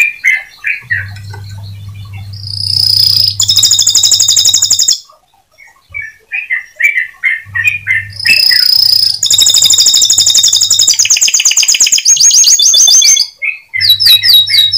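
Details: Canary singing to stimulate other canaries to keep singing: varied warbles and rapid high rolling trills in long phrases, separated by short pauses, with a low steady hum underneath.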